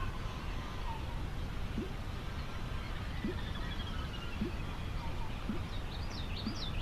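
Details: An American Bittern near Foam Lake, in the fishing lake area, makes soft, low gulping plucks about once a second while taking in air to fill its air sac. A low rumble runs underneath and a small bird chirps faintly.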